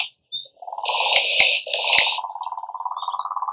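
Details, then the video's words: European Nightjar in a rather failed recording: a low buzzing churr begins after a short pause, broken midway by sharp clicks, then continues as a steady rapid vibrating trill. "Europese Nachtzwaluw met best mislukte opname"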